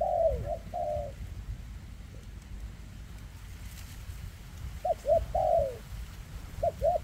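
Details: A spotted dove with trembling legs coos twice at the start, falls silent for about three seconds, then returns with quick paired notes and a long falling coo, over a low rumbling background.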